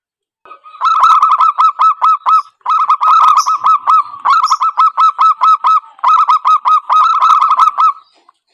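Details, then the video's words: Zebra dove lure call for trapping, nearly continuous: rapid clipped cooing notes in four long runs with only brief breaks. "Suara Asli Pancingan_Pikat Perkutut"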